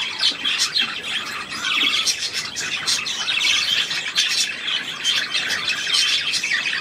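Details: Budgerigar song recorded 3 April 2017: scratchy, chattering warble mixing high squeaks, clicks and brief squawks, swelling and easing in waves without any silence.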